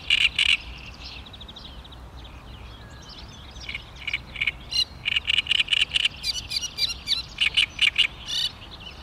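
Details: Great reed warbler recorded on 16 May 2013: loud harsh grating notes open, then after a short pause a run of rapid, rasping, chattering syllables repeated in stuttering bursts, croaky and rhythmic, with a quiet low background.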